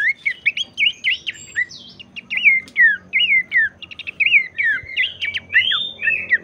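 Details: Abbott's babbler song meant to spur other babblers into song: a rapid, jumbled stream of chirps, slurs and quick trills, very busy and continuous for several seconds, over a faint low hum.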